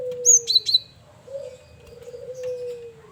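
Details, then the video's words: Varied song of a male cinereous tit, kept as a lure bird. It opens with a rapid burst of piercing high chirps, followed by long, low dove coos and a few faint high notes. "Burung Gelatik Batu jantan||Burung Gel wingko Gacor Variasi Buat Pancingan"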